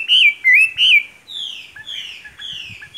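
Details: Chinese hwamei singing: three loud, clear whistled notes that swoop up and down, followed by a run of softer, falling slurred whistles repeated about every half second.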